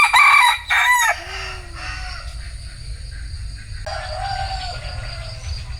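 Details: Closing part of a bantam rooster's crow, loud and hoarse, cut off after about a second. Quieter faint sounds follow over a low, steady background rumble.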